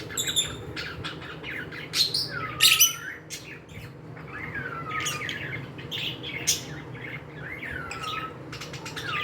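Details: Pet cockatiels chattering: sharp high chirps and several clear whistles that slur downward, repeated every couple of seconds, with a faint background hum.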